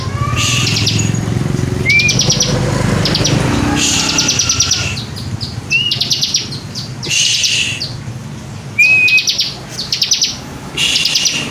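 Bar-winged prinia giving bursts of loud, buzzy rattling notes every second or two, mixed with short rising whistles, over a low background rumble.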